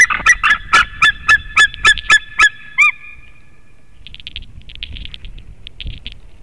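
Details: White-tailed eagle at its nest, picked up by a nest webcam in Latvia in 2018: a fast series of about ten yelping, ringing notes, then softer, higher chattering calls over a quiet background.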